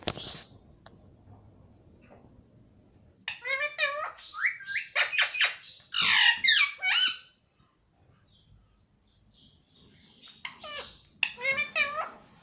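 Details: Talking pet ringneck parakeet, said to say "mummy papa": after a quiet start, a dense run of loud squawky, speech-like syllables with sliding harmonics, a pause, then another burst of similar rasping notes.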